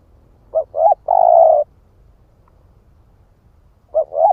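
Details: Lure call of an 'ức chẻ' spotted dove: two quick rising hoots then a long, even, low coo, a pause of over two seconds, then two more short hoots beginning the next phrase.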